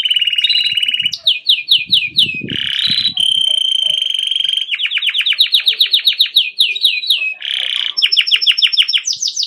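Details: Grey Belgian canary singing: bright rolling trills of rapid repeated notes, sliding rattles, and a long steady high whistle, switching between tours in quick succession, with faint low knocking beneath.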